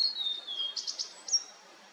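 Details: On a fog-covered mountain after rain, a blue-and-white flycatcher gives a long, high, gently falling whistle followed by three rapid buzzy, rasping notes and one last short sharp note.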